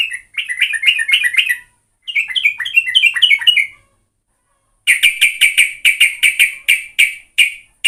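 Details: Active sooty-headed bulbul used as a lure: two runs of quick, slurred chattering notes, then a series of harsher, sharper chip notes repeated roughly every third of a second.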